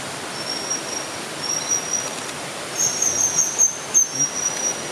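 A juvenile chestnut-naped forktail gives thin, very high, drawn-out whistles in a loose series over a steady rushing hiss, like running water.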